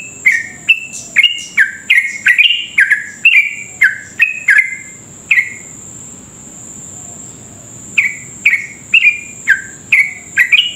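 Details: Sooty-headed bulbul in rapid 'ropel' song used to provoke other bulbuls: quick run of falling whistled notes, a two-second pause, then a fresh burst of bubbling phrases, a constant high thin whine throughout.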